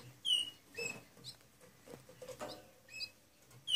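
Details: Eight-day-old Gloster canary chicks making brief high squeaky peeps, a few sharp whistled notes spaced irregularly over soft shuffling and rustling.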